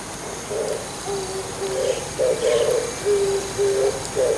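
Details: Perched on an antenna in the morning, an Oriental turtle dove gives low, husky coos, alternating a rough grouped phrase with two or three smoother flat notes, repeated without pause over quiet background hiss.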